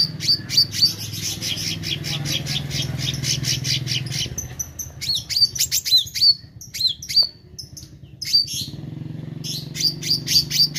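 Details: Meranti bird in full song: a dense, fast stream of high chattering notes, then separate sharp chirps with downward hooks, easing briefly before the rapid high twitter returns. A steady low hum runs throughout.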